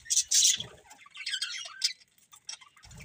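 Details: Budgies chirping: two sharp high squeaks open, then a short run of twittering notes fading into scattered faint chirps and a low rumble at the end.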